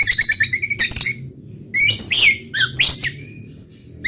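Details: Murai batu, or white-rumped shama, singing in the roll tembak style: a quick series of high chips, then loud upslurred whistles and squeaky notes, with a steady low hum behind.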